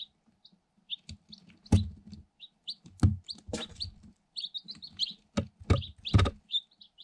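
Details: Eight day-old Light Sussex chicks hatched in an incubator, kept in a cardboard box and filmed on a GoPro Hero 7 Black: busy overlapping high thin peeps, many short and rising, with repeated heavy knocks as chicks peck at the box and camera.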